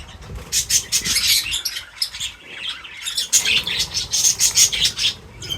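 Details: A busy group of feeding birds keeps up continuous high chirping, pulses of twittering swelling and fading every half second or so, with a brief lull near the middle.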